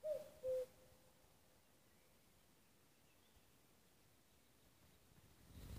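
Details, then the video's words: A common cuckoo in Nuuksio, Finland, on 6 May 2015 gives one clear, falling two-note 'cu-coo' at the start, followed by near silence with faint background hiss. "Käki kukkuu"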